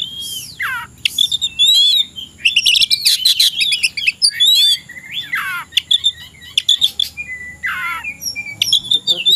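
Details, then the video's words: Oriental magpie-robin, said to be primed to fight a rival, in energetic afternoon song: dense bursts of sharp chips, scratchy warbles and downward-sweeping whistled slurs, repeated in loud phrases across the whole stretch. "KACER SIAP TARUNG CARI LAWAN..!!!"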